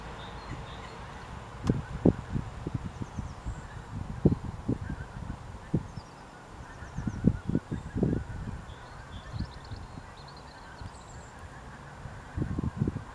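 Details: A flock of pink-footed geese, with a single barnacle goose among them, at Allander Water on 7 March 2021, gives overlapping honking calls in irregular bursts, with faint higher bird notes and a low background rumble.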